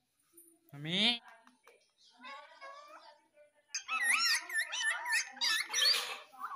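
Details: Baby rose-ringed parakeet kept as a pet, a talking bird, giving one loud rising squawk, then soft murmurs and a run of rapid, wavering, warbled chatter notes.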